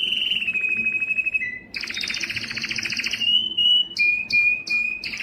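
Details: Canary singing, played to stimulate males: a slow-pulsed whistled roll, a loud buzzy double-toned trill, then short clear whistles repeated with brief gaps.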